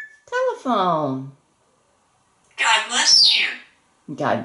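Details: A pet African grey parrot, male, imitating a rooster in a small room: a harmonic, rising-then-falling crow-like call, then a harsh, hissy burst and a further voiced, speech-like sound.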